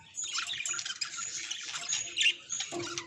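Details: Budgerigar vocalizing as a sign of its emotions: a continuous, busy stream of high twittering and scratchy warble notes, with a slightly louder squeaky peak near the end.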